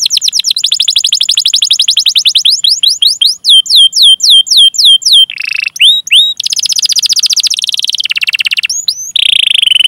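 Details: Canary song, long chirping 'cuit cuit' phrases with rolls, used as a lure to get young, untrained or silent canaries singing; rapid trills of high, upward-sweeping notes, then buzzy rolled passages and sharp repeated chirps, with no other sounds.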